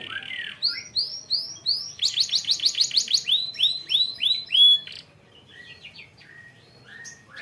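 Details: Canary lure song (pancingan) played to make young canaries sing more readily: quick series of rising arched whistles, then a fast buzzy rolling trill around four seconds, ending in fainter scattered notes.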